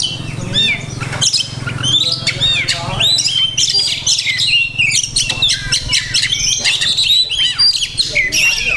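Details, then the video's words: Oriental magpie-robin in a cage, singing an energetic stream of imitated notes, clicks, sweeping whistles and chatter, almost unbroken, above a steady low electrical hum and faint voices. "Banyak Masteran iNi Kacer"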